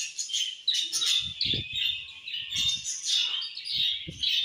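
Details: Budgerigars give continuous high chirps and warbling chatter with thin whistled notes woven through, over soft low knocks and rustling.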